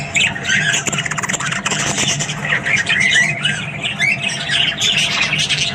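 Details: Morning chatter from a group of Australian budgies: dense overlapping warbles, clicks and scratchy squawks, continuous throughout, over a faint low background hum.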